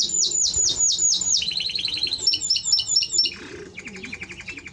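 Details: Timbrado Español canary song of rapid descending swept notes repeated in series, then a faster stuttering phrase and a lower, quieter rolling trill.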